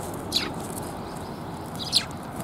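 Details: At a Tenmangu shrine on 10 January 2022, Eurasian tree sparrows arriving for food give two short, bright, high chirps about one and a half seconds apart against quiet outdoor noise.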